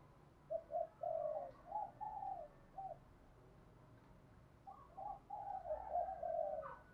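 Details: Lure spotted dove in the 'thổ pha đồng' cooing style, kept for training newly caught birds. Distant-sounding, mellow coo phrases come in two bursts of several notes, set against steady low background hiss.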